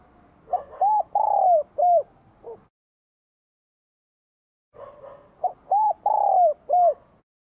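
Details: Bell-voiced spotted dove in Vietnam, singing very vigorously in spring 2023 to provoke wild doves. Two low, rounded cooing phrases, each a soft lead note, a drawn-out falling coo and short arched coos, with a break of silence between them.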